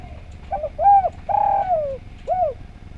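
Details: Vocal spotted dove, recorded as training material to get other doves singing: a three-part cooing phrase with a short coo, a drawn-out coo sliding downward, then a last clear coo after a pause, with faint low hum behind.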